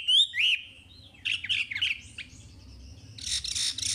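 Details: Chinese hwamei song for training caged birds: two bright looping whistles, a quieter stretch of slurred notes, then a burst of harsh, noisy chatter at the end.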